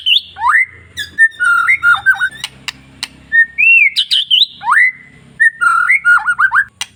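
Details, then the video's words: Kept white-rumped shama singing as a lure to excite other shamas: rich, loud phrases of looping whistles and quick repeated slurred notes, nearly continuous, over a soft low hum. "MENINGKATKAN EMOSI BURUNG MURAI Dengan Suara murai batu ekor panjang"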